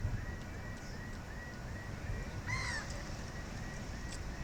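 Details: One vocal gull in a quiet group gives a single loud arched squealing call near the end, preceded by a faint series of thin, evenly repeated notes, over constant low background rumble.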